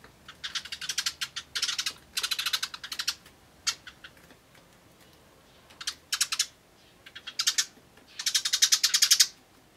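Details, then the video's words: Eurasian tree sparrows at a bird table on 24 May 2013, eating while chirping: bursts of fast, dense 'tyutyutyu' chatter alternating with gaps and a few isolated chirps, ending in a loud busy run. "鳴きながら食べるスズメ Tree Sparrows eating while chirping"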